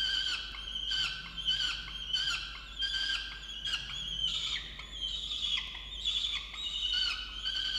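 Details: Female peregrine falcon nesting in a water tower box at Orange, New South Wales, Australia, angry at her mate for not bringing breakfast; insistent, harsh whining calls in a steady series, merging into longer drawn notes.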